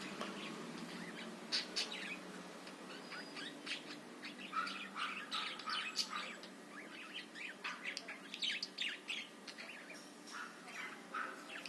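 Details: Budgerigar chatter used to provoke other birds into singing: dense bursts of bright chirps and squeaky warbles, mostly high-pitched, tumbling irregularly over nearly twelve seconds with a steady low hum underneath.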